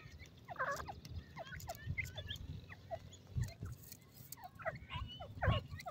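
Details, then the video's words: Scattered descending peeps from ring-necked pheasant chicks on grass, a few calls at a time, with dull thumps and handling noise in the low range. "ringneck pheasant bird sound,ringneck partridge bird chicks"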